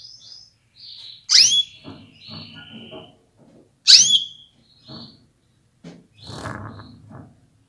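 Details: Female canary calling so males get ready and sing strongly: two loud, shrill chirps about two and a half seconds apart, with light rustling around them.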